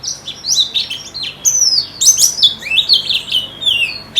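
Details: Pleci (white-eye) in a singing-contest simulation for bird therapy: rapid, high, tumbling twitter of slurred notes, some sweeping down, others rising, almost without pause.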